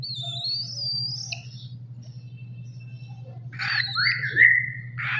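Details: A baby cockatiel gives thin, wavering whistles, then a rising whistled sweep with a harsher, raspy edge.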